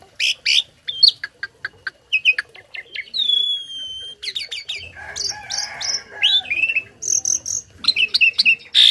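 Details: Loud, imitation-filled singing by a tame starling kept to teach other birds: clipped chips, a long falling whistle, a rough churring passage and bright high whistled notes at the close.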